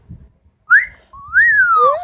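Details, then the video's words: ['Household Amazon parrot whistling: a brief rising note, a pause, then a longer arched whistle ending in an overlapping second tone, in a quiet room.'] "The many sounds of Lily, an amazon parrot"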